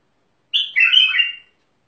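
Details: Single melodious phrase from a Mandali bulbul: a clear high note, a short dip, then a rolling warble fading out after about one second, nothing else audible.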